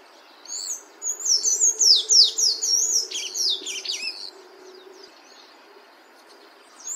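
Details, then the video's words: A sayaca tanager singing in nature gives a quick, high, squeaky twittering run of about three seconds, its thin notes tumbling up and down over a faint low hum. "SANHAÇO CINZENTO CANTANDO"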